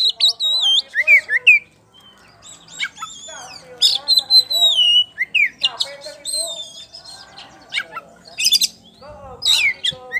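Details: Oriental magpie-robin of the poci type, a champion bird, sings energetically in ngeplong style: a dense mix of sweeping whistles, twisting notes and loud chips, with a short quieter gap early on.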